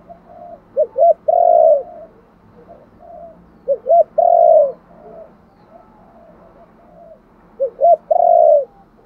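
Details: Spotted dove in thúc gù gáy gọi calling song: three phrases about every three and a half seconds, each with two quick hooked coos and a long sustained coo, with soft murmured coos between them.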